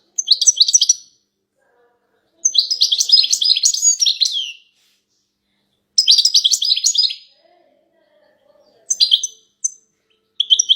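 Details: Massed twittering of female goldfinches meant to draw a silent male goldfinch into song: repeated two-second bursts of rapid, high, jangling notes with brief pauses, then scattered short calls near the end.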